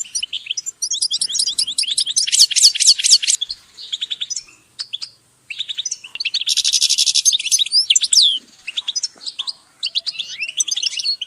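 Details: Goldfinch song used to motivate birds: dense high twittering with rapid buzzy trills and tinkling notes, two loud rattling bursts, short pauses between phrases, possibly several birds overlapping.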